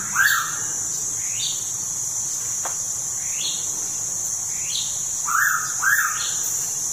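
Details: Pitta calling at Tha Pom in Krabi, Thailand: soft whistled notes, one at the start and a paired couplet near the end, mixed with another bird's thin upslurred whistles and constant high insect drone.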